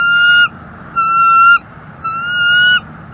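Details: Bald eagle at a northeast Florida nest on 30 January 2024, calling while an intruder eagle perches close by; three long, level, clear whistled notes, the last stretched to nearly a second, with a steady low background hum.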